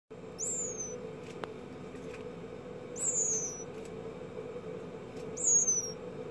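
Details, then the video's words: Woodcock chick, recorded 2/20/18, gives three very high, thin, down-slurred peeps about two to three seconds apart over a steady low hum. "woodcock chick"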